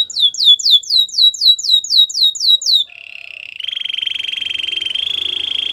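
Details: White canary delivering roughly a dozen bright, hooked whistles in quick succession, then breaking into a dry, even buzzing roll that continues steadily.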